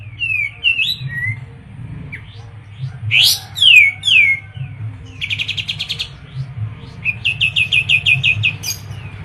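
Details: Kapas tembak, the Olive-winged Bulbul, a Medan bird singing eagerly: bright descending whistles followed by fast rolling bursts of short repeated notes, about eight or nine per burst, against a quiet low background hum.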